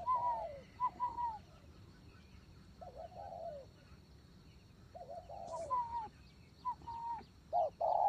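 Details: Spotted dove kept as a decoy bird in Vietnam: soft, low cooing phrases recur at uneven intervals over a steady background hiss, with a brief faint high chirp near the middle.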